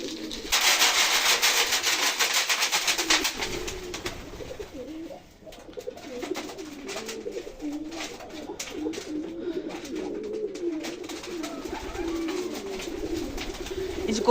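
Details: Domestic pigeons at feeding time on a foggy morning, cooing steadily as grain is given; a loud rattling burst opens, then continuous low, wavering coos run under faint speech.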